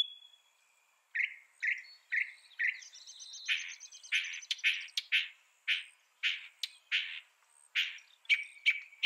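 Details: Mockingbird song with varied phrases: a thin whistle, then a series of short chirps roughly every half second, mixed with sharp clicks and harsher notes.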